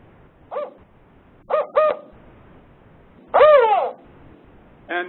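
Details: Northern spotted owl (Strix occidentalis caurina) giving its basic four-note location call: deep, hollow hoots, a single hoot, a quick pair, a pause, then a longer, wavering final hoot.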